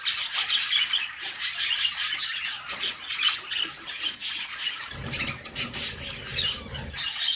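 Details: Young budgerigars in a nest box squawk harshly and nonstop as their mother feeds them, the rough high calls pulsing in quick bursts, joined by low rustling and bumping from about five seconds.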